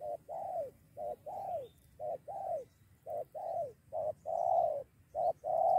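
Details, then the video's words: Spotted dove, one of two birds challenging a decoy, on the verge of a two-against-one fight; a series of clipped and drawn coos, slightly softer, with a low rumbling background. "Burung ini Ajak teman melawan pikat"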